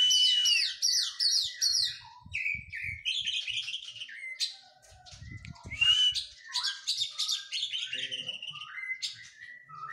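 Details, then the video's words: Oriental magpie-robin after its moult during physical training: a long, varied song of quick downslurred whistles, chattering trills and sharp chips, with a few faint low knocks in the background. "KACER PRO HYPER LATIHAN FISIK PASKA MABUNG.!!!"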